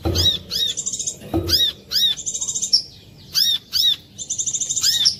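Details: Clear lure song of a brown-throated sunbird, used to set other sunbirds singing: shrill arched notes mixed with quick stuttering high trills, in short bursts with brief pauses and a couple of soft low knocks early on.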